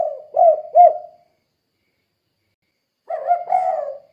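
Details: Spotted dove giving a vigorous 'kuk 2' style call, used as a lure to get other doves calling: mellow hollow coos with two sharp accented notes, a pause, then another coo phrase. No other sounds.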